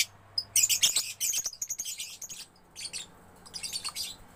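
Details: Juvenile lovebird in gacor song, loud shrill twittering bursts of harsh high chirps broken by brief pauses, then shorter chattering phrases near the end over a faint low hum.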